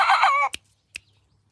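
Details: Pradu-coloured decoy rooster from Roi Et, Thailand, ending a crow: a loud, rough, hoarse note held for half a second and falling off, followed by two sharp clicks.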